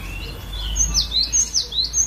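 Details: Varied song of a collection cinereous tit, glatik batu, played to coax other birds into singing: a thin high tone, then a few quick high downslurred whistles paired with rising notes toward the end.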